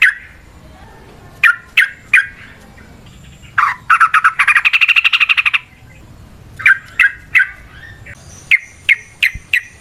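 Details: Trucukan, the Sooty-headed bulbul, singing as a lure for other birds: spaced bright chirping notes, a fast buzzy rattle lasting about two seconds mid-way, then further short repeated phrases.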